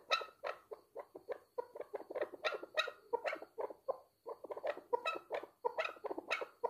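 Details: Chukar partridge calling: a dense, rhythmic series of short, clucking chuk notes repeated in quick bursts, with a faint steady whistle-like tone running in the background.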